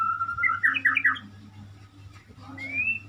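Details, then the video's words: Murai, the white-rumped shama, giving a steady held whistle that breaks into a quick jumbled warble, then quiet, then a smooth rising whistle, with a low hum underneath. "burung muray , burung berkicau , burung bernyanyi"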